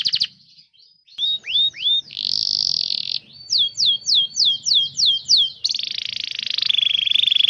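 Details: Canary song meant to stimulate young and non-singing canaries: short swooping whistles, a harsh buzzy burst, evenly spaced falling notes about five per second, ending in a steady fast trill.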